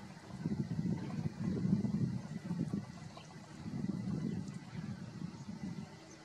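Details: Only a low, pulsing mechanical rumble rises and falls, like a passing engine or boat, over faint background hiss.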